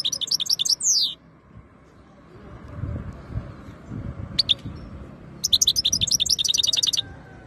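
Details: European goldfinch, locally called khloui, singing in 2022 while ready to mate: a quick high twittering burst with a sliding downward note, a pause, then a rapid run of bright, clipped chirps over a low background rumble.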